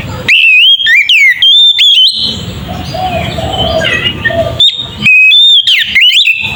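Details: Oriental magpie-robin singing in the ngeplong style, a lure meant to provoke other magpie-robins into agitation. Loud, clear whistled phrases rise and slur downward in bursts, then give way to a noisy stretch of faint chatter and hiss before the whistles return.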